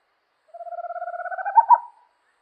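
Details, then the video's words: Owl call: a steady, low, purring run of rapid pulses that builds in volume, finishing with two emphatic, slightly higher notes after about a second and a half; nothing else audible. "Som das Coruja - Canto da Coruja"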